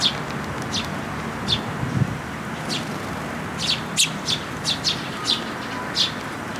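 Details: Eurasian tree sparrow young waiting to be fed on a post at a Tenmangu shrine on 28 May 2022; a quickening run of short chirps, densest near the end, with low background hum.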